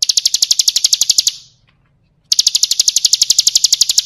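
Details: Bar-winged prinia in kristal-style full-isian song meant for training birds: fast, evenly spaced high metallic notes, a second of silence, then the same rapid ticking series resumes.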